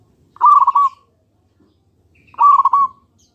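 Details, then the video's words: Zebra dove of the local Indonesian type, used as a lure so other doves reply: two short bubbling, trilled coo phrases about two seconds apart, each a rapid stutter of notes, with silence between. "PANCINGAN PERKUTUT LOKAL PALING AMPUH"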